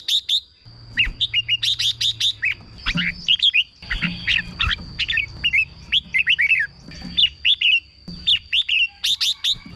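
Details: Caged red-whiskered bulbul song to excite caged birds: bursts of rapid high chips followed by dense chattering whistled phrases, brief silences between groups, low background rumble.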